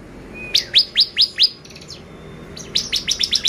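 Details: Bar-winged prinia song used as a lure to excite other birds: a rapid series of sharp, high, downslurred notes, five in a row, a pause, then six quicker notes, with a thin faint whistle before the first series.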